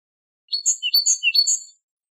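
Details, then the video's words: Great tit song used as a tutor tape for teaching great tits and goldfinches to sing: bright, ringing two-note phrases alternating high and lower pitch, repeated quickly about four times in just over a second, with no other sounds. "تغريد طائر الحداد ( القرقف"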